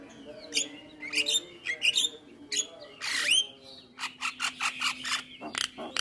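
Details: Javan myna in full isian song, said to set other mynas calling back: squeaky chattering notes and whistled slurs, a loud harsh downward-sweeping rasp midway, then a quick series of dry clicking bursts ending in a squeal.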